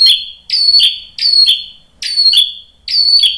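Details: Lure recording of a white-rumped shama to prompt other shamas to sing: five piercing, high, ringing notes at a steady pace, each with a quick downward slur. No other sounds.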